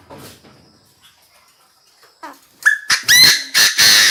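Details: Decoy Chinese francolin calling the flock: faint scattered chirps, then a sudden loud series of harsh, grating notes in quick succession, the first with a brief rising whistle, closing the recording.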